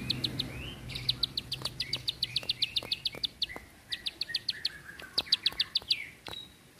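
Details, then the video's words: Bar-winged prinia in the long, tight burst style used to train other birds. A fast, steady stream of sharp, high ticking notes runs almost throughout, broken by short pauses and soft lower chirps. "Ciblek Sawah // Prenjak Klik // Tembakan Panjang Rapet Ciblek"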